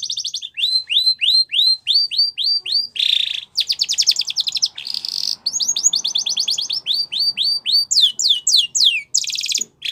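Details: Spanish Timbrado canary song for training young canaries: a continuous rolling song of rapid repeated rising whistled notes, about three per second, alternating with dense metallic trills and buzzy rattles, without pause.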